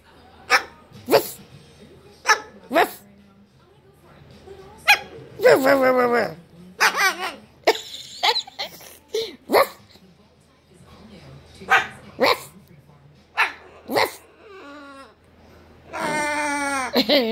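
A cockatoo gives loud, harsh bark-like bursts, copying a dog's bark.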